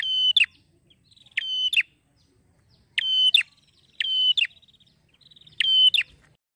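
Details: Male Bar-winged Prinia delivering a cheerful ngeplonk song: five strong, ringing, buzzy bursts with snapping finishes, alternating with light rapid ticking.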